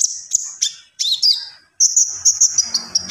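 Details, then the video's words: Common iora in vigorous song: high sustained whistles broken by quick chips, a short sliding phrase, then a long bright whistled run with trilled notes, a faint low hum near the end. "SUARA BURUNG KONIN GACOR"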